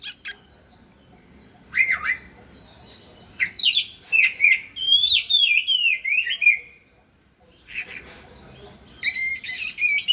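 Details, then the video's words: Oriental magpie-robin sings during a dance display, pouring out fast, varied whistles, warbling runs and squeaky trills in long phrases, then pausing briefly before a fresh burst of bright notes. "Chòe than múa hót"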